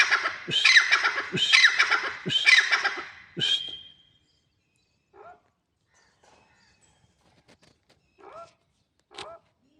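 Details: Grey francolin (teetar) calling: about four seconds of loud, grating notes in quick succession end abruptly. Then come a few faint, scattered softer notes with quiet gaps between them.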